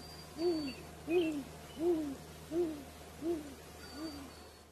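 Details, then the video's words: A great grey owl gives six soft, deep hoots, evenly spaced under a second apart, the last one fading, over a steady low hum. "Great grey owl calling"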